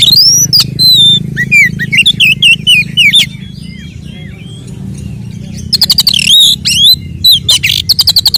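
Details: Oriental magpie-robin fighting song to rile rival males: rich whistled phrases with looping slurs, repeated about twice a second, then a dense burst of harsh rapid notes and further sweet whistles, over a low hum.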